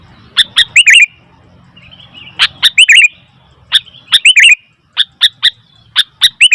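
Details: Sooty-headed bulbul calling noisily: sharp clicks followed by quick bubbly chirped notes, grouped in bursts roughly every one to two seconds, with a soft low hum underneath.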